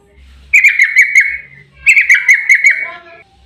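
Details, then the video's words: Yellow-vented bulbul, long 'ropel' song meant to prompt other bulbuls to sing: two short bursts of fast bubbling, gurgled notes, each about a second long, separated by a brief pause. "Suara trucukan GACOR EMOSI ROPEL PANJANG buat pancingan trucuk agar cepat bunyi"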